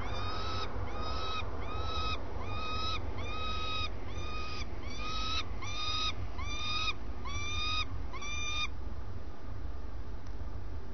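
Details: Common swift calling at its nest in the early morning: a regular run of about ten short, harsh, buzzy screeches, roughly one every three quarters of a second, then quiet with only a low hum.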